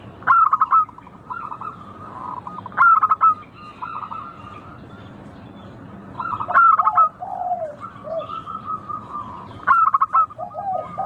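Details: Local zebra dove song, used to encourage others to sing: four crisp bursts of rapid ringing coo notes at regular gaps, each trailing into lower, rolling trills.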